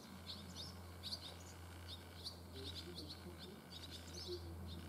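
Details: Fledgling barn swallows just out of the nest, flying far on their first day: scattered high twittering chirps in clusters, with a constant low hum beneath.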